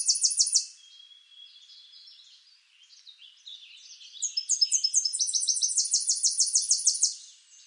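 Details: Tennessee warbler: a rapid trill closes one song, soft scattered chips follow, then a new song of sharp, high notes accelerates into a loud, fast, regular run of ringing notes. The setting is quiet.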